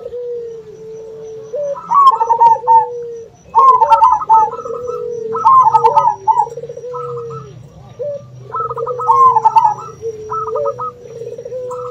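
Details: Local zebra dove calling to attract rivals, accompanied by a second dove (puter): repeated bursts of rapid high staccato coos every couple of seconds over continuous lower rolling coos, with a faint steady high tone.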